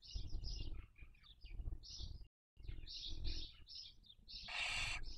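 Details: At a Cabañeros National Park nest webcam in Spain, barn owls raising young in 2023 make clusters of short high chirping notes, then one long harsh hiss at the end, with low rumble throughout.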